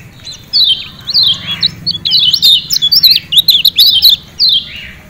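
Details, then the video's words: Lemon-bellied white-eye (kecial kuning, Lombok) giving 'ciak ciak' song that is played to encourage captive birds to sing. A lively, continuous string of high warbled chirps and twitters fills most of the recording, then it ends on a single falling note. "Ciak Ciak Kecial Kuning Joss Ampuh Bikin Kecial Rajin Bunyi"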